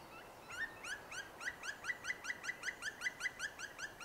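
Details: A distant Black woodpecker (Dryocopus martius) gives its flight call in a fir forest in Livradois-Forez, France: a rapid run of harsh, ringing 'krri' notes, about five a second, against a quiet forest background.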